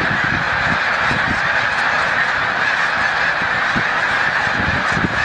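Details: Thousands of overlapping honks from snow geese during peak migration at Montezuma, New York, on 7 March 2022 as the birds take off; a steady, clamorous chorus without pause, deep rumbling underneath.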